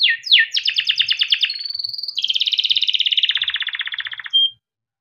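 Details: Male yellow canary in captivity in Indonesia gives a long rolling song used as a tutor: two quick sweeps, fast rattling trills, a thin level whistle, then a long trill falling in pitch before a short whistle.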